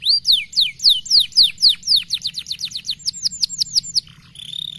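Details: Caged canary giving a stimulating song: fast, high whistled trills of repeated down-slurred notes, about four per second, shifting into clipped rapid phrases and ending in a softer buzzy note.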